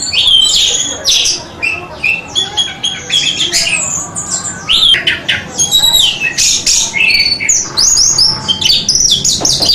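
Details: Orange-headed thrush song used as a training recording for caged birds: a dense run of loud, varied whistles and chattering notes, mostly high-pitched, with rapid shifting phrases and brief pauses.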